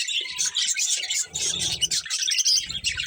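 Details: Colourful budgerigars feeding together give a steady stream of bright, squeaky chirps and twittering warbles, layered over one another, with low thumping and scraping noises in the middle and at the end.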